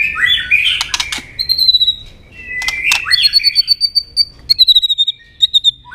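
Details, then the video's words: White-rumped shama giving a double-note fighting song meant to rouse a rival, with tail clicking: rich, warbled phrases around mid-high pitch, then bursts of sharp broadband clicks and a run of thin, high, repeated whistled notes. "chòe lửa tạch đuôi âm kép kích lửa hiệu quả.dìu lửa chuyền mùa 2 hót đấu lên lửa cực nhanh"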